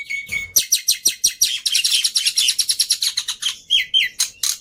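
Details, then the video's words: Black-winged myna in full song for a lure and master recording: a brief level whistle, then a fast stream of loud buzzy chirps, ending in short rising and falling whistles. "Pancingan Plus Masteran Burung Jalak Putih full Isian Mudah Di Tiru"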